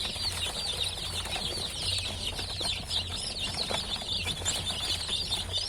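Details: Just-hatched chickens give a continuous mass of high, thin peeping, with many short cheeps overlapping densely, while a steady low hum carries on in the background.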